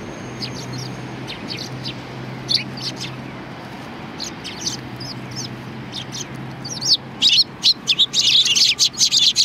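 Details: Sparrows at a Tenmangu shrine: scattered high chirps early on, building to a dense, loud burst of overlapping chirping in the last few seconds over a low steady hum.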